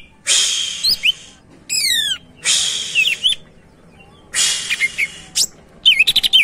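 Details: Greater green leafbird singing actively, a bird suited for prompting other birds to sing: loud bursts of harsh, buzzy chatter alternating with quick whistled slurs and rapid rising-falling twitters, separated by short pauses.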